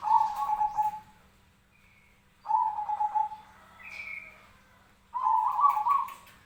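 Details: Zebra dove fighting call kept as training material for other birds: three rolling, trilled coo phrases about two and a half seconds apart, each roughly a second long, with a faint higher chirp in one gap.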